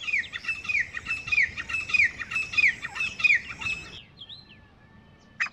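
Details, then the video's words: A grey francolin pair calling: a steady series of ringing, slurred whistled notes with harsh overtones, roughly one every half second, stopping abruptly and leaving near quiet with a faint chirp. "Beautiful Sounds of Grey Partridge Pair | تیتر جوڑے کی آواز | Grey Best Francolin Pair Voice"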